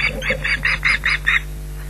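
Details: Osprey giving an alarm at an intruder near its nest at Loch Garten: seven clipped, piercing high notes at an even, quick pace, then stopping, with a constant low electrical hum underneath.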